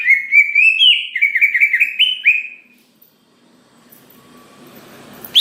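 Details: Greater green leafbird in full song, singing to provoke other leafbirds into singing: a run of clear rising and slurred whistled notes, quickly repeated, lasting about three seconds and ending in quiet with a soft background hum.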